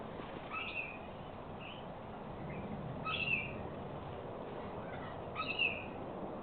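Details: A cockatoo, one of several at a backyard water spot in Australia where aggressive cockatoos challenge a regular visitor, gives short, harsh squawks at uneven intervals of one to two seconds, over a steady background hiss.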